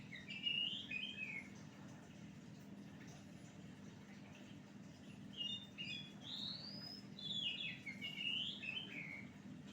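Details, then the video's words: Oriental magpie-robin song used as a lure: short bursts of varied whistled and warbled phrases, quiet at first, with separate loud phrase groups near one, six and eight seconds over a steady low hum. "Pancingan Kacer Gacor"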